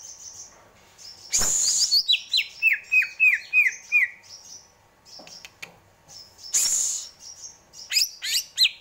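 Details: Greater green leafbird giving harsh, noisy squawk bursts between fast series of downslurred whistled notes and high varied chips.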